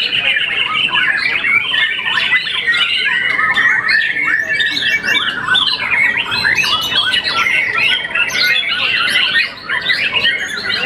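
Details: Champion young white-rumped shama after its first moult sings a long, varied outpouring of whistles, trills and harsh chatter, briefly dipping near the end.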